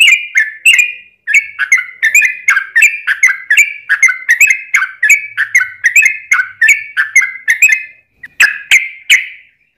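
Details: Long continuous trucukan (yellow-vented bulbul) song used to provoke other trucuk birds into singing: a steady stream of bubbly, warbled whistled notes, about two per second, ending with a few stronger separate notes.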